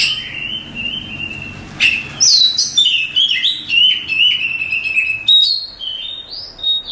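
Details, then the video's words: Champion Oriental magpie-robin used as a tutor for other songbirds, starting with a long steady whistle, then a fast tumbling series of sweet whistled and chipping notes. "Suara Kicauan Burung Kacer Juara Kontes Cocok Buat Masteran"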